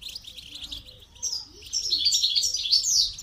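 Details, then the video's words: Goldfinch singing during song training: quiet opening, then a rapid, continuous high twitter of liquid chirps and trills that grows louder through the second half. "Motivational rewards for training goldfinch to song"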